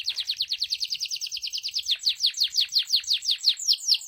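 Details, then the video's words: Canary of the loper type singing a fast, even trill of high buzzy downslurred notes, roughly eight per second, pulsing steadily throughout with no other sounds. "14 variasi suara burung kenari loper"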